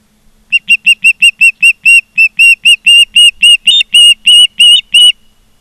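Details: Osprey calling at a Charlo, Montana nest, 16 September 2023, afternoon: around twenty-two piercing whistled chirps in quick succession, growing louder and slightly longer toward the end.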